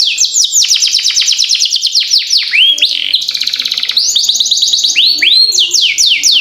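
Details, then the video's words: Canary song used as a master recording to train young birds to sing: loud continuous rapid trills of sweeping downslurred notes, a fast buzzy rattle section around the middle, then more rolling whistled trills without pause. "Masteran Kenari Gacor Ngerol Panjang"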